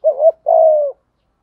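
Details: A single thúc gù phrase from a spotted dove used as a lure bird: a brief wavering low note, a short gap, then a steady, slightly falling coo lasting about half a second.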